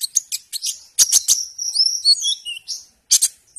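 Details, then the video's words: A hummingbird gives thin, very high squeaky chips and clicks mixed with quick sliding whistles, in two short rapid bursts with a brief pause between. "The best hummingbird sound"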